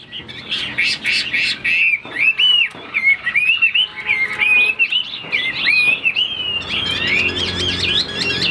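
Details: Caged Chinese hwamei, a fighting bird fanning its wings, pouring out a long varied song of bright slurred whistles and twists, with bursts of harsher noisy notes at start and end.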